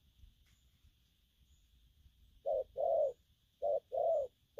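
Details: Wild-caught spotted dove starts cooing after a quiet pause with low background rumble: two pairs of hollow coos, each a short note and a longer rounded one, in gù phóng and gù lăn style.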